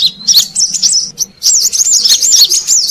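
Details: Brown-throated sunbird in Indonesia, heard as a lure call for catching wild birds: rapid high-pitched twittering, then a brief gap and another run of squeaky wavering chirps.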